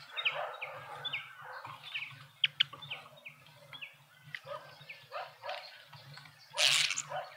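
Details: Several Speckled mousebirds (Colius striatus) feeding at a feeder in a suburban garden in Pretoria, South Africa, give short, high chirping notes in a quick, twittering series, over a low steady hum and a brief rustling burst.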